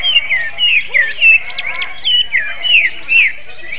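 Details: Magpie-robin-flavoured song of a greater green leafbird, called an eccentric bird: clear downslurred whistles and short bright upward sweeps in uneven bursts, with a steady droning hum behind.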